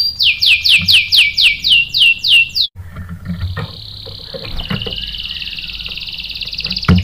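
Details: Canary song set off by a female used as bait: a run of loud falling whistles, a short break, then long even buzzy trills at a steady pitch.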